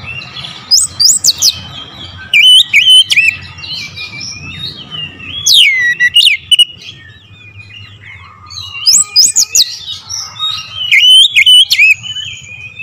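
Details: Loud, clear oriental magpie-robin lure song in bursts: sharp clicks and high shrill notes mixed with swooping, warbled whistles, several phrases separated by quieter stretches with low background hum.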